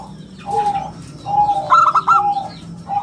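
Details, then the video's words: Local zebra dove (perkutut lokal) singing in the prized 'bulat kristal' round, crystal-clear style, used as a lure and tutor recording: steady mellow coo notes, then a quick rising trill of clear notes, another coo beginning at the end. "suara bulat kristal - perkutut lokal gacor suara istimewa buat pancingan dan masteran"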